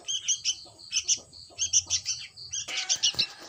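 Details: Sooty-headed bulbul chick giving high, thin, squeaky chirps in quick pairs and short runs. The chirps come roughly every quarter second, with a louder, harsher burst near the end.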